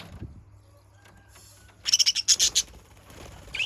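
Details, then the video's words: Budgerigar used as a lure, giving a sudden fast burst of about eight high, sharp, ticking chirps after near silence, then a faint chirp at the end. "Pancingan burung parkit PALING AMPUH"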